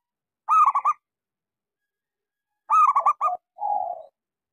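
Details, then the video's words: Local zebra dove with a small voice, a lure song for doves that have stopped singing: two bursts of quick staccato coos about two seconds apart, the second ending in a lower, purring rolled note; no other sounds. "Suara pancingan Perkutut lokal gacor suara kecil sangat cocok buat terapi kutut macet."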